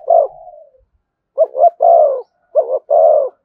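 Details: Spotted dove song in the thổ style with thúc and kèm, opening with a trailing drawn coo, then two groups of a short double coo followed by a long, full, low note.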